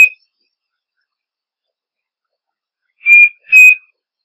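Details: Striped cuckoo singing a clean two-note whistle, the paired notes level in pitch and about half a second apart, following a long silence with only the tail of an earlier note at the start.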